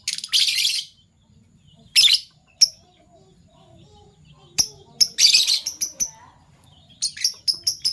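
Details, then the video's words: Fischer's lovebirds kept as pets, violet and gold opaline forms, calling in the morning: harsh high screeches and squeaky bursts mixed with sharp single chirps, ending in a quick run of repeated chirps. "Lovebird Chirping Sounds - PB Violet Fischer & Euwing Gold Opaline Fischer"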